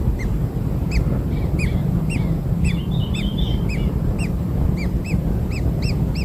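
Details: Kingfisher chicks just hatched and receiving black insects utter repeated rising-falling squeaks roughly every half second, with a brief burst of softer twittering midway, against continuous low-pitched background noise.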